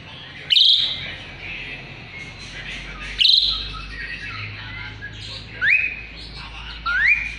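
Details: Asian pied starling singing, used as a tutor and lure for white-rumped shamas; two loud harsh squawks a few seconds apart, then two clear rising whistles, over a steady low hum.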